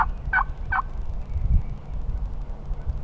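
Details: Wild turkey flock near a hunter on Nebraska public land, close enough that he set up in their midst; three short raspy yelping notes in quick succession, then wind noise.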